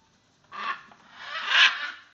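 A macaw chick gives two harsh, raspy, scraping calls, a brief one followed by a longer rising-and-falling rasp; nothing else is heard.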